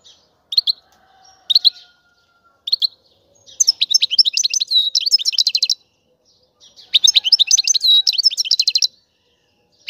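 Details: European goldfinch twittering, the calls said to stimulate males to sing and signal mating readiness: short high chirps, then two dense bursts of rapid tinkling trills with sharp repeated notes, in quiet surroundings.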